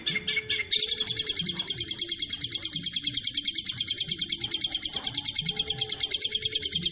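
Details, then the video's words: Masteran training song from a long-tailed shrike: after a few scratchy notes, a steady, very high, thin buzzing trill repeating about three times per second, continuing without break. "masteran burung cendet"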